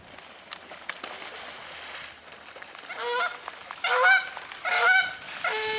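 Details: Canada geese fighting and making a lot of noise in spring at Colonel Samuel Smith Park: quiet background at first, then loud harsh honks in bursts from about three seconds on, rising and falling, with one sustained final honk.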